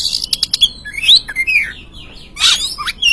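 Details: Lure song of an Oriental magpie-robin, meant to stir an untamed caged bird into singing. Quick scratchy notes lead into clear slurred whistles rising and dipping, then a loud rasping burst and a final whistled note.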